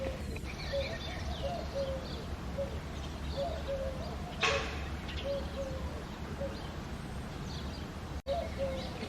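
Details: Eurasian collared dove on an early foggy February morning, giving a series of low hollow coos in short-long groups, while other small birds chirp higher and a brief rustle sounds near the middle.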